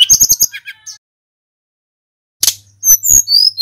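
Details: Tledekan gunung in vigorous song, meant to provoke other birds: a quick run of sharp high notes, a long silence, then loud chattering and high slurred whistles.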